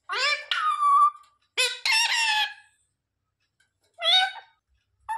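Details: Baby parrot in India imitating human speech, saying "mummy" and asking for roti: several nasal, harmonic syllables with a wavering tone, a two-part phrase, a pause, then one more short call.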